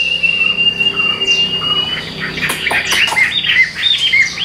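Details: Caged Hwamei from Vietnam with golden legs and bill, starting with a long steady whistle, then a burst of sharp notes and short slurred whistles.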